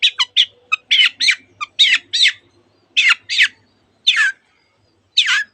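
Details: Long-tailed shrike singing with imitations of canary and other birds: loud harsh squawking notes and rising slurred whistles in spaced bursts, pauses growing longer toward the end.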